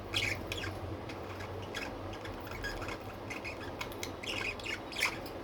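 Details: Pet budgies chattering with scattered rapid, rasping chirps and a few brighter squeaky notes near the start and end, set against a constant low indoor hum.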